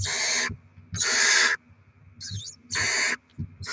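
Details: On 7 February 2024, during rodent deliveries and chick feeding, barn owls give four loud, broadband rasping hisses, each about half a second long, with a short, thin squeaky note between them.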